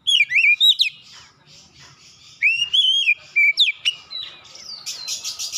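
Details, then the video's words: Oriental magpie-robin provoked by a rival, answering at once with an aggressive challenge and unloading its learned song repertoire: loud, clear whistled phrases with sweeping slurs and sharp rising notes, a quieter gap, then a burst of buzzy high notes. "sekali pancing Kacer lawan langsung gertak naik emosi bongkar isian"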